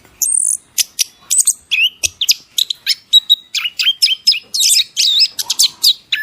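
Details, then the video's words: Bird song in the masteran training style: a fast, varied run of high chirps, whistled slurs and sharp clicks, rising and falling notes packed closely together with brief gaps, lively and continuous throughout. "masteran full kicauan"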